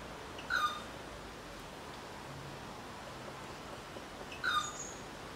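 Rufous treepie giving two short, ringing call notes about four seconds apart, each with a quick falling slur, over steady background hiss.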